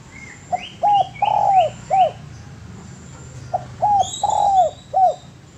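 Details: Master recording of a spotted dove: a phrase of short coos with a longer drawn coo in the middle. It is repeated after a pause, and quick upward chirps sound above the first phrase.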